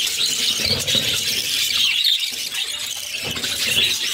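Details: Hungry budgerigar chicks, six of them, squeal insistently as the mother feeds them, a steady high raspy wheezing chorus with a short soft lull midway.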